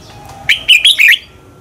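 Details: Red-whiskered bulbul singing a short phrase of three or four fast, bright, whistled notes, used as a lure to spur competition singing; faint background hum.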